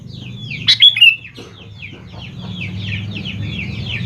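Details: Lure song of a sooty-headed bulbul for young birds to answer. Loud, clear whistled notes come early, followed by a long stretch of dense, falling chirps from many birds over a low hum.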